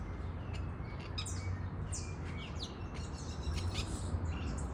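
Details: Free-living parakeets in the wild give sharp, high chirps and quick downward-sliding squawks that overlap in bursts, over a strong, steady low rumble of wind or water.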